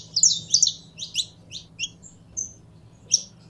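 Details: Captive saffron finch being warmed up to sing. A short cluster of sharp high chirps is followed by spaced single chips and a thin whistled note, over soft background hum.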